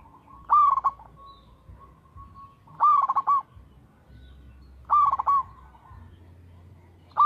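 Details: Local perkutut, a zebra dove, in full voice: rolling coo phrases repeated roughly every two seconds, each a soft steady tone followed by rapid pulsing notes. Quiet low hum underneath.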